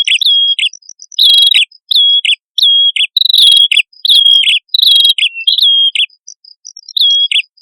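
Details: Male and female prinias singing actively, recorded as a lure for birds: repeated high chirping phrases, each a sharp note sliding into a level whistle and then a short dropping tail, with faint buzzy notes in the background.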